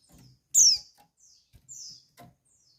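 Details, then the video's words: Female white-eye call intended to rouse males: one loud, high whistle sweeping downward, followed by softer, thin descending notes and faint taps. "Call Burung Pleci Betina Perangsang Birahi Pleci Jantan"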